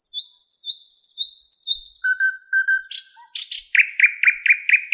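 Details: In a Moscow park on an 11 May 2016 morning, a thrush nightingale repeats a high whistled note several times, holds a steady lower whistle, gives harsh clicks, then fires off a string of rapid chirps.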